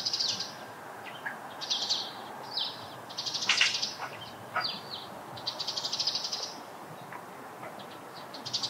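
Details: Eurasian tree sparrows at a site where they collect nest material, giving scattered bright chirps and buzzy, harsh notes in loose bursts, with a few lower clicks between them and quiet outdoor background.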